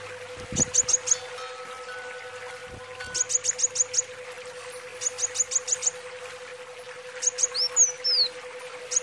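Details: Brown-throated sunbird singing bursts of four to six very high, sharp ticking notes repeated every second or two, with a few high descending slurred whistles near the end, over a constant low hum and occasional thumps.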